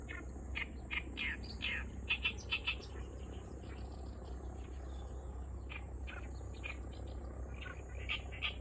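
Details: Oriental reed warbler heard but unseen at Kurohama marsh, Hasuda, giving an unusual song: harsh, grating chattering notes in quick uneven bursts, with a pause midway, over a steady low rumbling hum.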